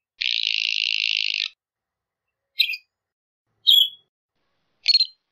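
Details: Northern Shrike calling: a long, harsh, buzzy rasp lasting over a second, then three short, sharp chirps spaced about a second apart.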